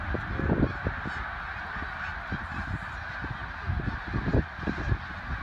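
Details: A large gathering of snow geese at Middle Creek, Pennsylvania, late February 2024, mid-morning. Their steady din of overlapping nasal honks runs throughout, with a few louder individual calls standing out over low background rumble.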